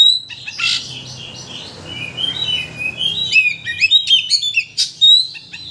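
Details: White-rumped shama song played to provoke another shama into unloading its repertoire: scratchy chirps, then a run of varied whistled phrases and crisp sharp notes growing busier.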